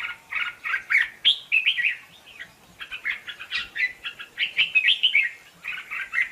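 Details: Red-whiskered bulbul singing in contest style, a song used as a decoy for trapping and training birds: a series of short, warbled, liquid phrases with brief gaps, moderately distant, with faint background hiss.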